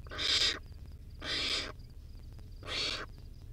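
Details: Barn owlet, wild, at a camera-watched nest while feeding on a rodent, utters three rough hissing screeches at uneven intervals over a low background hum.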